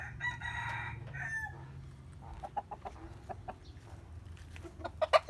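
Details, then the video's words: Rooster crowing in the morning: a long, loud, harmonic crow opens the clip and tails off after about a second and a half, followed by scattered short clucks and scratchy farmyard noise. "The sound of chicken crowing in the morning"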